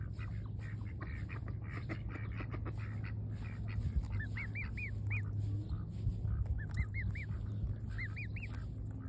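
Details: A baby swan eating fresh grass in the sun gives thin, high, rising-and-falling peeps in quick runs of three or four, with soft pecking clicks and a steady low rumble of wind underneath.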